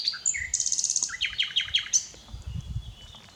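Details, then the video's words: A common nightingale sings a rich, varied phrase: high thin whistles, a fast buzzy trill, then five quick repeated down-slurred notes, over a faint low rumble. "Nachtegaal - Common Nightingale singing"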